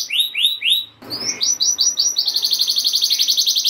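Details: Gacor canary song to excite other canaries: three swooping descending notes, a brief pause with a soft rustle, then a steady, rapid pulsed trill of roughly four notes per second.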